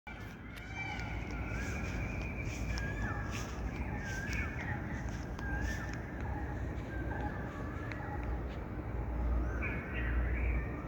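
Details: Birds calling outdoors: many short harmonic caw-like notes and brief chirps, overlapping and irregular, over a steady low rumble with scattered clicks.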